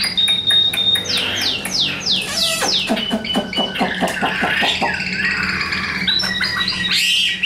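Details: Captive Chinese hwamei (Garrulax canorus), newly acquired and not yet in full form, singing in a hand-carried cage: a loud, varied song of rich whistles, fast rising and falling slurs and quick chattering trills, with a steady low hum.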